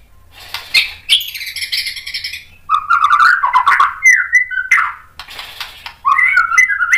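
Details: Agitated white-rumped shama song used to provoke other males, a rich, varied medley of harsh squawks, whistled slurs and quick chirping notes shifting pitch rapidly, with a low hum in the background.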